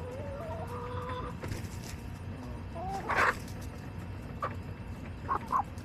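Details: Backyard chickens, hens and rooster, recorded July 18, 2024; a few scattered clucks and short harmonic calls, one louder squawk near the middle, over a steady low background rumble.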